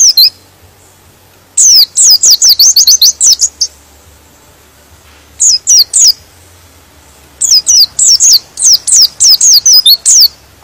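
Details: White-eye song played to provoke other white-eyes to sing: repeated runs of quick, piercing, falling chirps, a long fast run, a short three-note group, then another extended rapid run.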